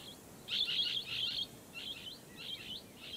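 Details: Blue-headed parrot calling in a loud, grating double screech followed by three shorter, softer rasping notes spaced about half a second apart, against quiet background hiss.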